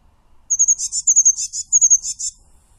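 A Eurasian blue tit sings very high. A thin whistled note is followed by two quick buzzy trills, and this phrase repeats three times in about two seconds.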